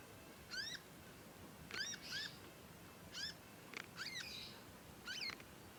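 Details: Conin youngster practising its voice with nyecet calls. Shrill, slurred chirps come in pairs and singles, some overlapping a soft rushing note, over low background noise.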